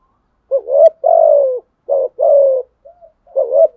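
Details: Deep, hollow fighting coos from a spotted dove answering rivals: a short note, then a long falling coo, repeated twice in close succession, with a brief soft note before the next phrase begins.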